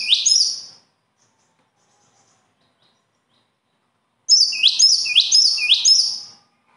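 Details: Bird song in which one phrase ends the first burst, then after a long silence a new burst of four repeated phrases follows: high notes with bright rising sweeps, at about two per second.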